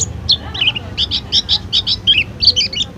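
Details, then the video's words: Pleci, a white-eye kept at a small stall, delivers rapid paired chirps in a steady bouncing series, high and clear, over faint low noise. "masteran pleci full isian"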